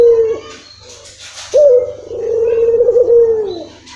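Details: Barbary dove call used as a lure to make a dove that seldom calls begin calling: a brief coo, a gap with faint rustling, then a sustained two-second coo with a quavering middle and a falling end.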